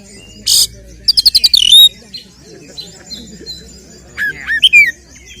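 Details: Kacer (oriental magpie-robin) in a fighting song to raise rival males' emotion: one harsh burst, five quick high ticking notes sliding into a whistle, a pause, then a cluster of sharp rising whistles.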